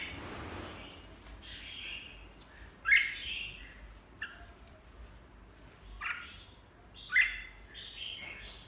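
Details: Red-whiskered bulbul heard softly, with short whistled phrases that sweep down in pitch, separated by pauses of one to three seconds over light background noise.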